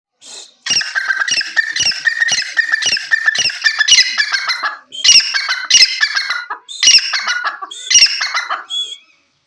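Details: Grey francolin calling loudly: harsh, ringing notes repeated rapidly in a rhythmic series, broken into phrases with short pauses near the middle and end, then fading out; no other sounds stand out.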